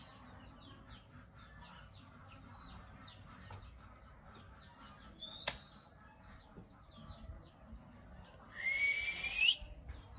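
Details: Male Oriental magpie-robin calling to provoke other birds to sing: faint, quick downslurred whistles repeat through the first half, a single sharp click comes midway, and a loud harsh rasp mixed with a rising whistle sounds near the end.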